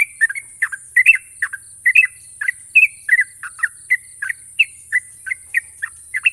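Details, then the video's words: Yellow-vented bulbul, national champion, with a long, sharp ropel. Quick, evenly spaced bubbly chirps and short warbled phrases repeat steadily, about three per second, with background hiss. "burung trucukan juara nasional ropel panjang dan tajam"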